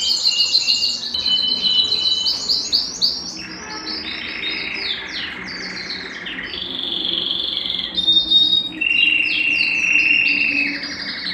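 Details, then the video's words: Belgian canary song used to warm up males and bring females into breeding condition, mixing fast high chirp series with sustained whistled and buzzy tones that shift between phrases. "Canto Para Esquentar Canário Belga e Foguear as Fêmeas"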